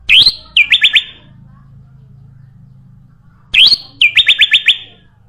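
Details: Sooty-headed bulbul sound for luring other birds: two matching phrases about three seconds apart, each a rising whistled note followed by a quick run of four or five bright chips.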